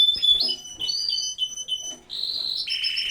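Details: Canaries in an aviary during breeding season: clear whistled notes and quick slurred chirps in a lively phrase, ending in two fast buzzy rolls, the second lower in pitch.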